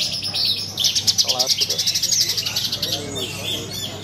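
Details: Contest bush lark in full song, a long string of quick, evenly spaced high chirps, close to three per second, trailing into softer twitters, over a low hum and faint human voices.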